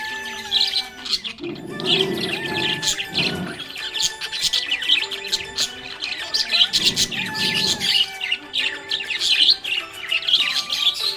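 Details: Happy budgie chattering continuously with busy high twittering and clicks, while lower swelling music passages rise underneath near the second and seventh seconds.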